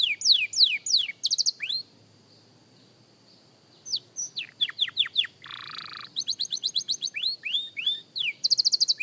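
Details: Young canary rehearsing song: quick sweeping whistles, a silent gap of about two seconds, then more slurred notes, a short buzzy burst and a fast high trill at the end.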